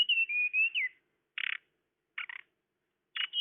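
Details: Lure call of a tledekan: one smooth whistled phrase of gliding notes ending in a falling slur, then three short harsh buzzy chips spaced about a second apart. No background noise.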